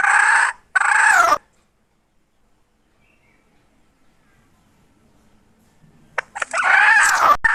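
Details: Domestic hen from 2021 gives two quick harsh squawks, then nearly four seconds of silence, followed by a longer rising, rasping call at the end.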